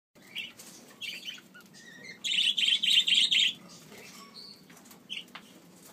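A budgerigar chick begs with a rapid run of harsh, raspy notes, about five or six in a second, with scattered thin chirps before and after.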